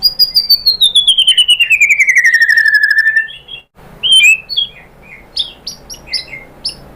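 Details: White-rumped shama song played to provoke other shamas: a long, pulsing trill that slides steadily downward for about three seconds, followed by a brief pause and scattered sharp chips and short whistles.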